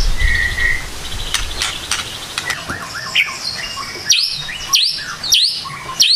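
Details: White-rumped shama (murai batu) recorded as a morning lure song: a varied phrase of whistles, then sharp, high V-shaped notes repeated about every half second, with some background noise.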